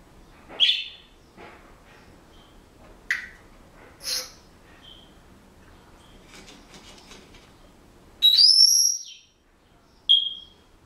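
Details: Scattered clicks and brief squeaks from a pet Senegal parrot indoors, then a loud, pure whistle that rises and bends over for about half a second, with one more short whistle afterward.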